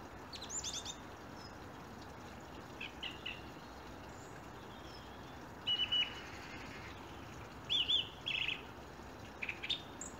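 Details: Birds singing at 7am on a January morning, 24/1/17, unusually early in the year, with blackbirds and a robin reported; faint high chirps and short twittering phrases come in scattered bursts over a steady background hiss.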